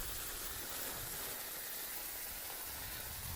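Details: Continuous broad hissing like rushing water or steam fills the whole recording.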